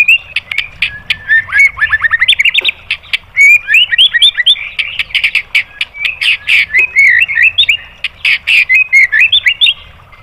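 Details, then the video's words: White-rumped shama song used to provoke other birds into singing: a loud, fast, varied stream of whistles, chirps and sharp clicks with rapid trills, almost unbroken for ten seconds. "MASTERAN MURAI BATU memancing EMOSI JADI NYAUT"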